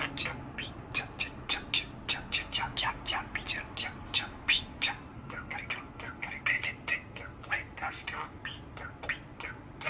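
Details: Male budgerigar, aged six, kept as a pet, chatters steadily on a cold December day in 2021, giving a continuous run of rapid, scratchy chirps and squeaks with hardly a pause.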